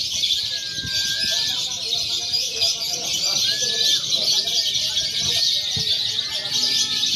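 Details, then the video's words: Free-action lovebird contest simulation for training birds before a real competition: a continuous wall of piercing, fast twittering, with occasional drawn-out whistles cutting through the steady high chorus. "SIMULASI LOMBA LOVEBIRD BEBAS AKSI (KONSLET, FIHGTER, PAUD)"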